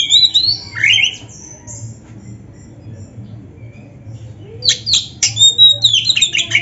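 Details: Oriental magpie-robin (kacer) singing to spur quiet kacer; a slurred whistled phrase, then a long near-silent pause, then a burst of sharp repeated notes and whistles, low hum behind.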